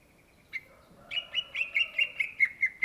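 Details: Greater green leafbird (cucak ijo), an Indonesian native bird, singing gacor style: a soft opening note, then a fast, even series of bright whistled notes repeated about five times per second.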